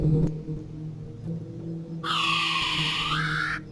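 A kiwi gives one long, shrill, harmonic whistle that holds steady then lifts slightly at the end, after two seconds of low droning hum.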